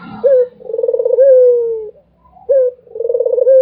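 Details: Barbary dove cooing without pause: a short rising note leading into a pulsing, rolling coo that steadies and slowly falls, then the next phrase starts after a short gap.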